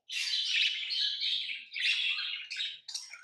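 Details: Pet lovebirds give a continuous stream of shrill, buzzy chirps with only two short breaks, sounding like busy chatter in a small room.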